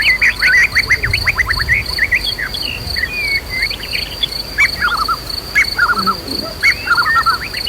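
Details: White-rumped shama in agitated song, meant to goad caged shamas into loud singing, with a backdrop of nature and flowing river: rapid whistled phrases, then short descending note runs, under a continuous high cricket-like drone.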